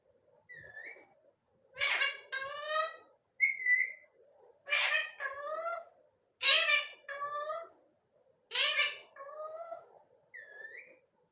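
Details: Talking rose-ringed parakeet chattering almost nonstop indoors: harsh, speech-like bursts with stacked harmonics about once a second, between clear whistled notes, some rising, at start and end.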